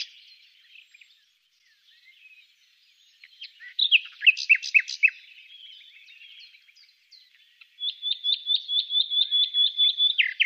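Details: Wild common nightingale, recorded during a survey, sings a long phrase: soft scattered notes, a burst of loud sharp chirps, a quiet buzzy stretch, then a rapid steady series of repeated high clipped notes.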